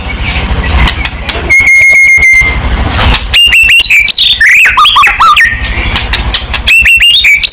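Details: White-rumped shama song meant to provoke a reply from other shamas: a long steady whistled tone, then bright varied whistles with quick upward and downward slurs, over a low background hum.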